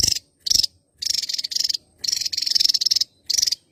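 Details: Java-endemic Javan tesia in full song, delivering loud, high, rattling trills in bursts; some stretch past a second while others are short, with only small gaps between them.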